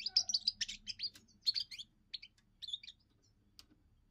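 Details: A young European goldfinch's first song, for defending territory and attracting females: a loud run of clear, jingling chirps that thins into scattered quieter notes over faint low hum.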